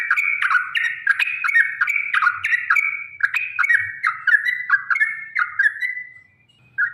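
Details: Yellow-vented bulbul, used to make caged birds sing: a lively chain of slurred, liquid whistled phrases delivered about twice a second, gradually fading, with one last short note after a pause.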